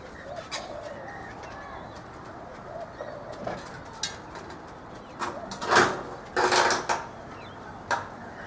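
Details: Rainbow lorikeets feeding in a backyard guava tree in Brisbane, Australia, give a few harsh, shrill screeches in brief bursts, with faint low cooing, likely a dove, in the background.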